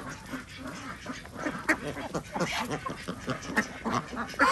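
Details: Farmed ducks quacking at feeding time on a village organic duck farm in Andhra Pradesh, India; rough, broadband quacks overlap in a busy flock chorus with steady farmyard background noise.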